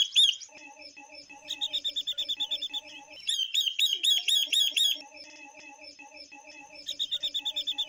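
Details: Song of a female Chinese hwamei used to stir males: repeated trains of high chirps, a louder rapid burst in the middle, then a fresh run, with low rhythmic tones underneath.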